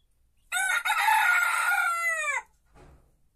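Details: Small rooster crowing in the henhouse: one loud, harsh, richly harmonic crow lasting about two seconds, holding steady then dropping in pitch at the end, followed by a brief faint low rustle in an otherwise quiet setting.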